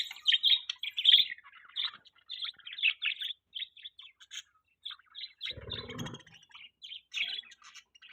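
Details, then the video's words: Pet budgies call in quick, uneven series of short, high chirps and tweets, some rougher and louder at first, then sparser single notes, with one brief low rumble midway. "Beautiful Budgies Chirping Sounds|Budgie Chirping Sounds|Budgies parrot sound"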